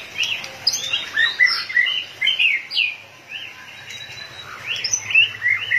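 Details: White-rumped shama, fired up and flicking its tail like a machine, sings varied clear whistled phrases. Rising and falling notes come in quick bursts, with a brief quieter pause mid-way before more slurred whistles.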